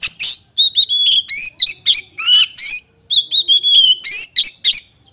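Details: Loud, continuous chatter from a female oriental magpie-robin, played to get males agitated so they open their tails and fight. The clip is a quick series of sharp chips and twisting whistles with hardly any gap.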